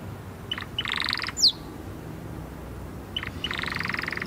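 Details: Canary singing short bright trills in two bursts separated by a quiet pause, with a brief high rising note between them over faint background hiss.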